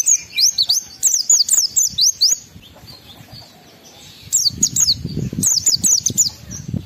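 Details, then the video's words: Rapid bursts of high, thin descending whistles from an Oriental white-eye singing in 'ngalas' style, meant to provoke emotion and breeding urge in other white-eyes; two dense volleys separated by a quiet gap. "Pendongkrak Emosi Pleci Tercepat agar Pleci cepat Ngalas gacor buka paruh"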